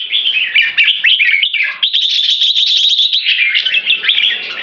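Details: Red-whiskered bulbul, a caged Singapore-kept champion pair of about 3.5 and 6 years, performing keke song in an open-tail display. A rapid, unbroken run of bright warbling and chattering notes, rising slightly midway. No background noise.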